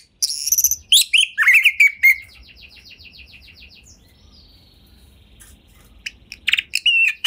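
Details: Caged Oriental magpie-robin singing to prompt others: loud varied chirps and slurred whistles, then a long thin buzzy trill of evenly repeated notes that fades, followed by quiet and a final burst of sharp whistled phrases.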